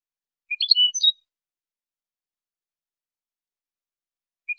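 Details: European goldfinch tutoring recording: a quick jumble of twittering notes and a higher flat whistle, then a long silence before a brief chip at the end.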